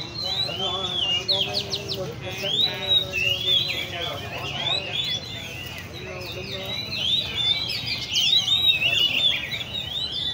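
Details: Caged Oriental magpie-robins gathered by hobbyists at a bird cafe in Le Thi Riêng park keep up a busy whistled chorus while people talk nearby in the foreground.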